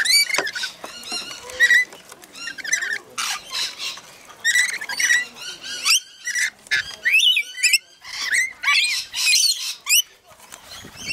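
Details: A flock of rainbow lorikeets in a feeding frenzy at Mount Tamborine, Queensland, Australia, keeps up a dense, continuous din of shrill screeches, squeaks and rasping chatter from many birds at once.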